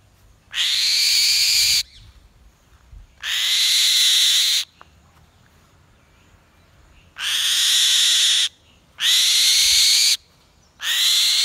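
A changeable hawk-eagle gives five long, shrill, drawn-out screaming notes, each over a second long, with short irregular pauses. The background is otherwise quiet.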